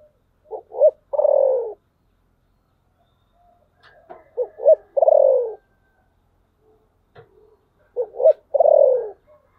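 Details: Three repeated phrases from a spotted dove with the thổ sấm voice style, each of two clipped low notes leading into a longer, falling, rough coo, separated by pauses of a few seconds.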